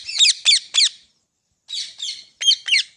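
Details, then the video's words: Pet green parrot repeating shrill, clipped squawks: three quick harsh notes, a pause, then two rougher calls and two more sharp squawks, all high-pitched and scratchy. "Green Parrot Talking Natural Sounds | Tote Ki Awaaz | Parrot Voice"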